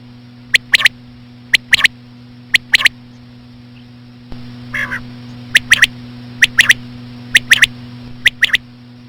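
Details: Female common quail call used to attract quail, given slowly: short sharp paired notes near two kilohertz, repeated in irregular doublets, with a brief rasping burst midway and a steady low electrical hum underneath.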